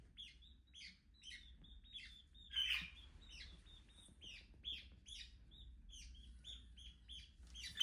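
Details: Pet budgerigar giving a steady stream of quick, high chirps, roughly two to three per second, quiet and twittering over a low background hum.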